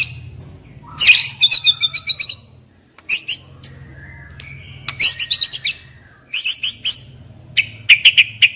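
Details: White-rumped shama decoy bird singing: bursts of rapid, high, sharp chirped notes in quick runs, separated by short pauses, with a faint low hum underneath.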